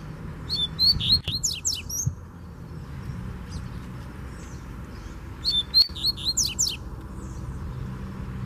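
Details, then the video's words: Free-living (loose) double-collared seedeater (coleiro) comes in strongly to a captive bird: two quick bursts of high, sweet twittering song, about a second and a half each, full of rapid slurred notes, over a low background rumble. "Puxada de Fibra Top!!! Coleiro Solto Veio Com Força"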